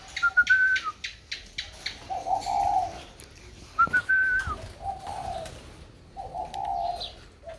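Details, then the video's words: Spotted dove kept in a box after purchase, still vocal: short low coo phrases recur every couple of seconds, interleaved with clear higher whistled notes, plus clicks and handling noise. "khách mua xong chim cho vào hộp vẫn trơi như thường"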